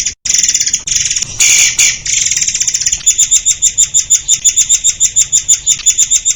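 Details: White-crowned shama delivering dense rapid-fire song for songbird training: loud high buzzy trills and a brief harsh burst, then a long series of sharp clear notes repeated several times a second.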